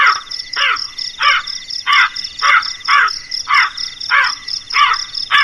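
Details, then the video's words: Nine gravelly crow caws, one roughly every 0.6 seconds, harsh and clipped, while a shrill insect chorus hums continuously. "suara burung gagak yg menakutkan"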